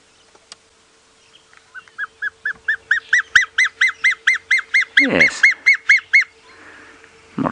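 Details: Dark chanting goshawk at sunrise, 5 May 2017, Djuma Game Reserve area, South Africa, perched while smaller birds mob it, gives a long chanting series of clear piping notes, about four a second, building in strength, steady low hum beneath, brief harsh cry near end.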